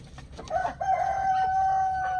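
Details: Chickens: a rooster crow opens with a brief broken note, then swells into one long, even, ringing tone lasting more than a second, with a faint low hum beneath.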